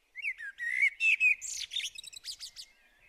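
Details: Common blackbird from Hungary giving a rich song phrase: mellow fluted whistles sliding up and down, then ending in a rapid series of thin, high, squeaky twittering notes.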